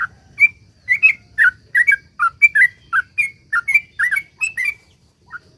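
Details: Vigorous sooty-headed bulbul song of the long 'ropel panjang' type, played to make other bulbuls sing: a steady string of rich, bubbling whistled notes alternating higher and lower, about three per second, ending after five seconds.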